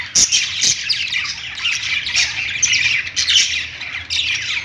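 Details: Budgerigars singing on a perch in a pet store: a dense, continuous chatter of high, scratchy chirps and warbles from several birds, with brief sharper squeaks standing out near the start.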